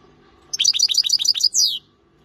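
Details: European goldfinch delivering a quick phrase of six or seven sharp, metallic twittering notes in rapid succession, finishing with a longer downward-sliding wheezy note; quiet background otherwise.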